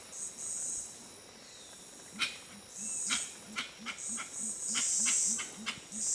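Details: Gray-winged trumpeters, Tiputini Biodiversity Station, Ecuadorian Amazon, give an even string of deep humming notes with a slight upward swell, about three per second, beneath loud pulsing high insect buzzes and scattered clicks.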